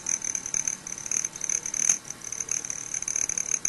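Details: Broad-tailed hummingbirds at a sugar-water feeder, fighting and chasing. A steady high, thin buzzing whine holds throughout, the cricket-like sound of air through a male's tail feathers, over a rough hiss.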